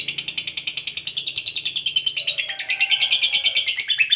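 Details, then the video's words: Fighter lovebird giving its long ngekek chatter, played as a lure so other lovebirds sing: a fast, steady, shrill pulsed rattle of roughly three pulses per second per beat group, rising slightly in pitch midway. "SUARA BURUNG LOVEBIRD NGEKEK PANJANG TERAMPUH BUAT PANCINGAN LOVEBIRD AGAR CEPAT NGEKEK GACOR"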